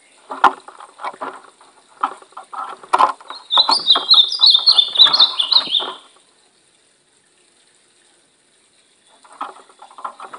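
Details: A brown-plumaged pet ultramarine grosbeak in training sings a quick, sweet warbled phrase of rising and falling high notes lasting about two seconds, over repeated dull knocking and rustling noises.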